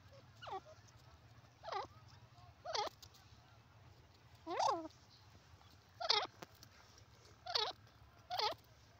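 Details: Francolin giving a series of loud, harsh, bleating call notes, each a short descending-and-rising phrase, repeated roughly every one to one and a half seconds, over a faint low background hum.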